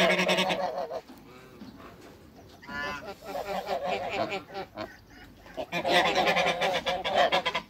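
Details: Farm flock of African and Toulouse geese honking as they are approached: brassy, nasal honks come in clustered bursts, a lull midway, then a louder rising chorus near the end.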